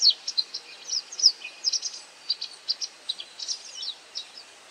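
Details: White wagtail calling while feeding on insects: a scattered run of short, high chirps and brief twittering notes, irregularly spaced, close to one another, over faint background hiss.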